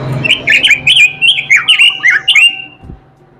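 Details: Melodious, energetic robin song, a fast run of about ten bright, slurred whistled notes rising and falling in quick succession for two and a half seconds, then quiet with a low background hum.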